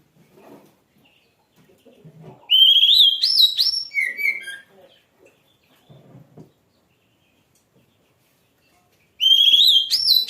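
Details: A kacer or oriental magpie-robin sings two loud whistled phrases of rising, tumbling notes separated by a pause, with soft low clicks and rustling between them.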